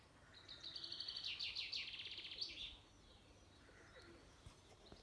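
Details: A territorial male common chaffinch sings in spring in County Kilkenny, Ireland: one brisk, bright phrase of about two seconds, a rattling series of quick notes that speeds up and ends in a flourish, over faint background hiss.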